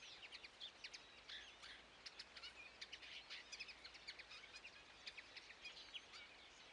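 A common linnet sings a fast, twittering run of short high chirps and buzzy notes, steady for several seconds over a soft hiss of background noise.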